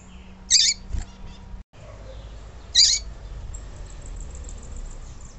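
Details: Yellow-bellied seedeater female calling, a sound used to stir up and prepare males; a pair of short, rasping high chips roughly two seconds apart, followed by faint, high, thin trills over a steady low hum.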